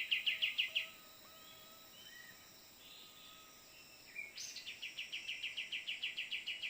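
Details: Calls of a cream-vented bulbul in Borneo forest, from a phone-luring session: a quick string of clipped notes, a quiet gap with faint whistles, then a high note leading into a long even rattle of repeated chips, insects droning throughout.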